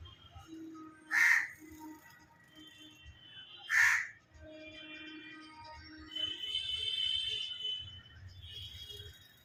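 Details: Myna calling with two loud rasping notes several seconds apart, then a longer stretch of tonal, chattering sounds and a low background hum.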